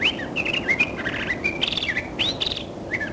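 A Curve-billed Thrasher sings a rich, varied run of whistled and slurred phrases, rising and falling quickly with short trills, over a soft background hiss.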